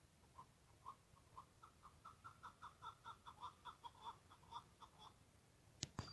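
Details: A wild Chukar Partridge gives a fast run of about twenty clucking 'chuk' notes, building steadily over five seconds, then stops; a sharp knock or click follows.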